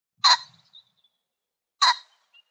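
A pheasant gives two loud, harsh, rasping bursts about one and a half seconds apart.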